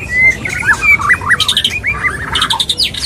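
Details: White-rumped shama male wooing a female: a pure whistle, then a series of bouncy looping notes repeated about every fifth of a second, with harsh buzzy bursts in the background.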